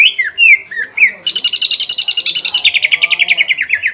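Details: Greater green leafbird song aimed at provoking a rival bird after moulting: a few curling whistled notes, then a fast, even, buzzy trill of many short notes repeated several times a second.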